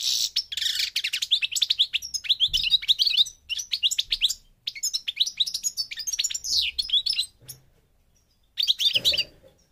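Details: Goldfinch of North Africa, recorded in Morocco, delivering a long, fast tinkling twitter with buzzy and liquid notes for several seconds, then a silent pause and a final short burst.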